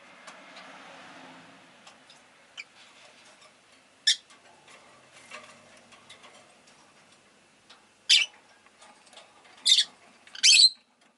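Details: Rosy-faced lovebird calls over low town noise: scattered ticks and a single sharp chirp, then three loud rasping shrieks close together near the end.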